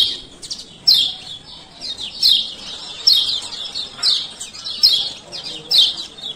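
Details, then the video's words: 'Ciak ciak' calls of a male lemon-bellied white-eye from Lombok, played to prompt stalled birds to sing; high sweeping chirp bursts recurring about once a second. "Pancingan Kecial Kuning Malas Buka Paruh"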